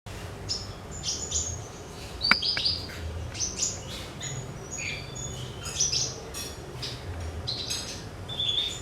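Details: Javan bush lark song used as a training recording to make other birds open their beaks and sing: scattered high chirps, whistles and short trills with sharp notes, over a low background hum.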